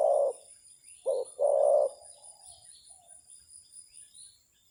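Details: Spotted dove kept as a decoy, calling against a wild bird: a soft coo, then a quick short coo leading into a longer drawn-out one, trailing into faint murmuring notes.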